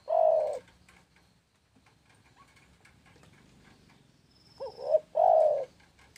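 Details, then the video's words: Spotted dove (tekukur) song: the tail of one long coo opens the recording, then after a few seconds of quiet a full phrase follows, wavering lead-in then sustained mellow coo, with a faint thin high tone. "SUARA BURUNG TEKUKUR"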